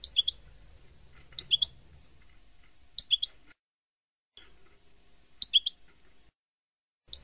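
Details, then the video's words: European goldfinch in a Palestinian-style song for tutoring fledglings; short high chirped double notes recurring every one to two seconds over faint low background hum. "تغريد حسون لغة فلسطينية رائعة"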